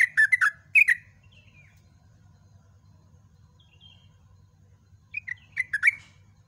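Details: Yellow-vented bulbul singing at dawn, ropel song style: a short burst of bubbly notes, a long pause with faint high whistles, then another quick chattering phrase, against a constant low hum.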